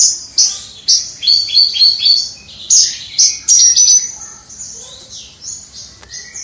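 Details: Caged Javan bush lark kept by a songbird hobbyist, singing energetically in the prized crystal-voice style, recorded from a distance: high, rapid chirps and thin whistled notes in quick uneven bursts, with one bright sustained whistle near the middle.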